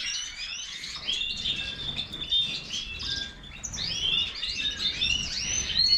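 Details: European goldfinch, major form, twittering steadily: high, tinkling notes mixed with quick rising and falling whistles and buzzy trills, growing louder and busier toward the end.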